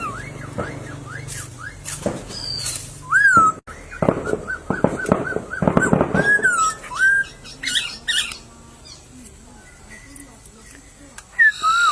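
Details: In a bamboo thicket in nature, a white-crested laughingthrush gives looping whistled notes that rise and fall, a clear downslurred whistle, and a burst of harsh squawky chatter. Clattering knocks and rustles are heard between phrases.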